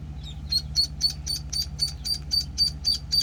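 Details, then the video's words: Penciled call ducklings, one week old, give a rapid series of high, thin peeps about four per second, steady and evenly spaced, over a low mechanical hum. "Penciled Call Ducklings (1 week old)"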